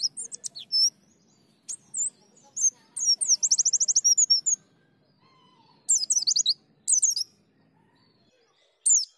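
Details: Pleci white-eye in ngalas, nembak and ngriwik style: scattered high chirps, then a rapid trill of about a dozen evenly spaced notes, followed by separate short bursts of sharp twittering with quiet gaps between.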